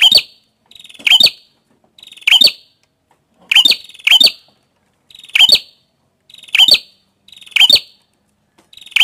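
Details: Prenjak kepala merah, a prinia, repeating its phrase about eight times: each a thin buzzing rattle followed by a burst of piercing, high, clipped chirps, spaced roughly a second apart, no other sounds.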